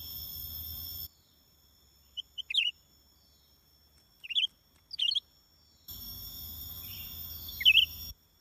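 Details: Greater green leafbird used as a decoy bird for luring: brief, sharp chirped and whistled notes in scattered bursts, with a steady insect-like buzz and low hum at the start and end.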